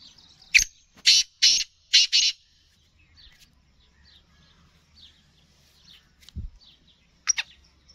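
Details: Sindhi black francolin, or kala teetar, giving four loud rasping call notes in quick succession. Faint chirps from other small birds follow, along with a low thump and one last sharp note near the end.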